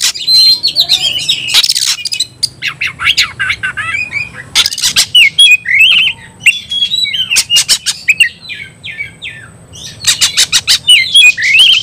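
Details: Fighting-provocation song of the oriental magpie-robin: dense, varied phrases of scratchy chatter, sharp clicks and sweet whistled slurs, delivered in bursts with few pauses.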